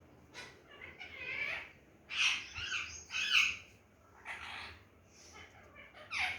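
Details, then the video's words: Pet parrot saying its own name: harsh, squawky voice-like syllables in short bursts, with about five or six loud phrases over six seconds and brief pauses between them. "my parrot saying mithu"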